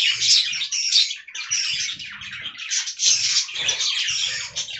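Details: A group of budgerigars chatter while eating fresh green leaves: bright, rapid, overlapping chirps and warbled twitters come in dense surges that briefly pause, over soft low rustles.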